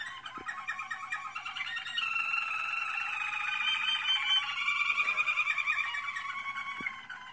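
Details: American Singer canary in training singing a long, unbroken stretch of warbled, rolling trills with layered harmonics, shifting from softer chopped phrases into a fuller, louder buzzing roll, with two faint clicks in the background.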